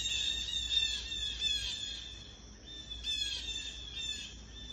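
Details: Birds squawking after being disturbed near an old stone wall in a Native American burial ground. Harsh, raspy calls with stacked harmonics come in rapid irregular bursts, sometimes overlapping, over a faint low background hum.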